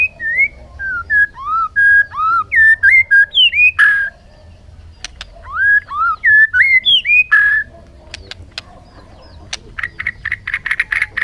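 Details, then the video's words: A songbird gives a varied phrase of clear whistled notes that rise and fall, repeats a similar phrase after a pause, and ends with sharp clicking notes. "suab noog quaj zoo heev"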